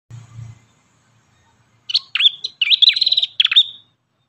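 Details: Ashy tailorbird, locally called prenjak kepala merah, in a song-tutoring recording: after a low thump, a burst of high, sharp chirps and quick trilled notes follows, with short downward-dipping phrases ending in a brief buzz.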